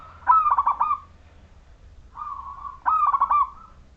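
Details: Lure song of a local Majapahit-style zebra dove with a clear voice that sets other doves singing. A bubbling cooing phrase, then a soft lead-in note, then a second rapid rolling run of warbled coos.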